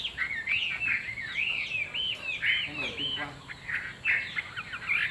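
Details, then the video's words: Caged Chinese hwamei with glossy plumage, sold as a good singer, repeats looping, rising-and-falling whistled notes in a steady string, with faint human talk and background noise. "Họa mi đuôi lá vả bóng bộ đẹp hót hay"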